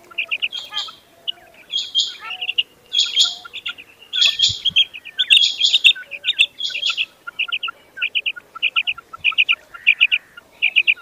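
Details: Common quail calling loudly, short bright notes given in quick clusters and repeated every second or so, with harsher buzzy bursts early on and fainter chirps of other birds behind.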